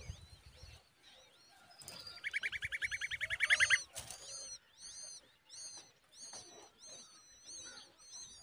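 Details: Common babbler parent feeding its chick a big worm: a loud, rasping, rapidly pulsed burst builds for about two seconds, then thin arched chirps repeat several times a second over a quiet background.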